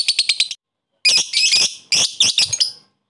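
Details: Lovebird giving koek calls with ngekek chattering to call a rival and raise other lovebirds' excitement: a quick run of sharp, high clicking notes, a pause, then two bursts of harsh, shrill, rasping chatter.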